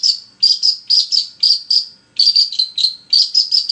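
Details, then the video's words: Long-tailed shrike in continuous singing, used to stimulate another shrike into song: clear, high, slightly buzzy whistled notes, each with a quick tail, repeated in regular runs of four to five with brief gaps. "PANCINGAN SUARA CENDET GACOR"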